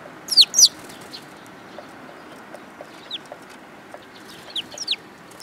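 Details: At a Tenmangu shrine on 3 July 2022, sparrows come to be fed. Two loud, quick down-slurred chirps open, followed by fainter scattered peeps and a few more sharp notes.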